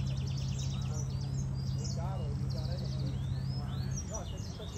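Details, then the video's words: European goldfinch mule (hybrid) singing: a quick, high twittering of tinkling notes and short buzzy trills over a steady low hum. "European Goldfinch mule singing"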